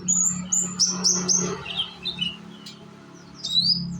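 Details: Young Indonesian konin sunbird singing as a lure to make untrained birds join in: thin, very high whistled notes in quick series, some sliding downward, a pause, then a rising high squeal, over a steady low indoor hum.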